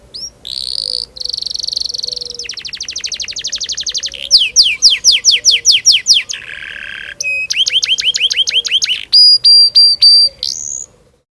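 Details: Canary song meant to teach young birds to sing, a varied rolling performance: high clear whistles, rapid trills of repeated notes, a low harsh buzz, then sharp repeated chips and a rising whistle.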